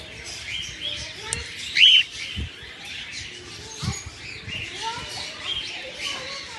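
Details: Morning time with albino red-eyed cockatiels: a single brief, clear chirp stands out amid soft continuous twittering, with low thumping sounds in the background.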